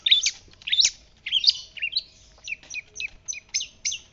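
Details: White-breasted shrike ('pentet laut') singing hard for a bird-keeper tutor recording. A few loud, scratchy squawks open it, followed by a quick row of short, evenly spaced chirps, all in a quiet setting.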